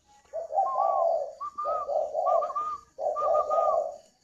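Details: Caged spotted dove at a bird farm in Ba Vì, Hanoi, northern Vietnam, giving three loud cooing phrases, each a low rough hooting base under a steady whistled upper tone, about one second apart, in a quiet indoor setting.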